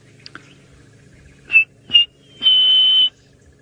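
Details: An orange-breasted bushshrike calls at sunrise, about 6 AM on 15 April 2018, in the Sabi Sand reserve by Kruger Park, South Africa: two short, clear whistled notes, then one long level whistle, over a faint low engine hum.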